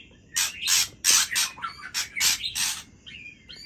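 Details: Aceh white-rumped shama performing at midnight: loud, harsh, rasping bursts come in quick succession and alternate with short whistled phrases. The background is otherwise still.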